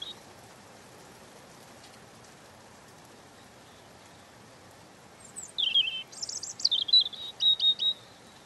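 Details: A European robin sings softly after a long quiet pause: one high, tinkling phrase opening with a very high note, then descending slurs and a trill, ending in brief repeated thin notes, over light background hiss.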